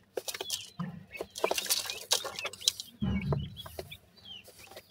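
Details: Grey francolin chicks growing from hatchlings toward independence: short, high, curving peeps repeated irregularly over scratching, pecking clicks and a low rumble.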